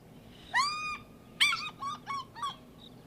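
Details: African Fish Eagle call played back from a recording, the species' iconic call: a ringing, yelping sound of one long clear note, then three or four shorter falling yelps in quick succession.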